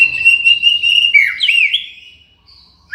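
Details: White-rumped shama song used as tutor audio for training songbirds and for luring. A long steady whistle gives way to twisting, rising and falling whistled phrases, then fades to near silence before a new note begins.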